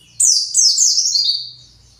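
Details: An agitated pet white-eye, said to be searching for its flock, gives a rapid run of high, thin descending notes, sliding down in quick steps over about a second and a half, with a faint low hum beneath.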